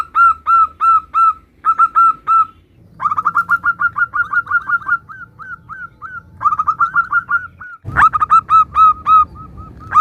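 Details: Local zebra dove in strong voice, song used to make other doves respond: spaced clear coos, then a long rapid stuttering run with trailing slurred notes, and a final loud burst.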